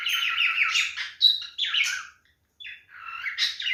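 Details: Chattering, warbled song of a male cockatiel in mating behaviour, rapid chirps and a thin whistle, a short silence, then softer rising warbles.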